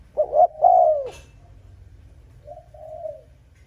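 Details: Spotted dove luring rival males: one loud phrase of quick double notes and a long falling coo, followed by a softer, fainter echoing coo.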